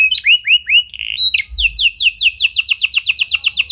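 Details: Vigorously singing canary with a unique song style, used as a lure to make silent canaries respond: three short rising whistled slurs and a buzzy note, then a fast trill of sharply descending sweeps.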